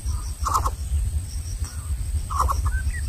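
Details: Nestling greater coucals of unequal size in their nest, squabbling over food so the small one goes hungry; brief rough doubled calls at mid pitch, two bursts nearly two seconds apart, with a thin rising note at the end and low background rumble.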